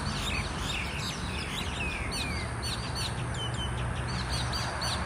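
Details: Fighting mynas in a group: harsh chattering mixed with long clear down-slurred whistles and later sharp rising notes, over constant low rumble.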